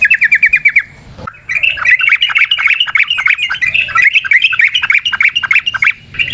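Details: Wild yellow-vented bulbul in the forest, a long rapid 'ropel panjang' song style used as a lure for other bulbuls: a fast run of short bright chirps, a brief pause, then a longer jumbled, chattering phrase of quick notes.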